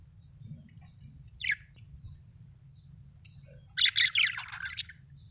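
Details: Pet budgerigar, described as happy, giving a brief high chirp followed after a pause by a dense burst of scratchy, rapid chattering notes; otherwise quiet with low background hum.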